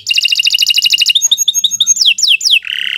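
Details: Canary song: a rapid rolling trill, a string of short level whistles, three descending whistled sweeps, then a sustained buzzy note.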